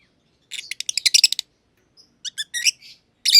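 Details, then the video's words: Masked lovebirds, a green and a green pied personata sharing an aviary, burst into a rapid rattling chatter of high chirps, pause, then give a few thin tweets and rough squeaks. "Lovebird Chirping Sounds - Green Personata & Green Pied Personata"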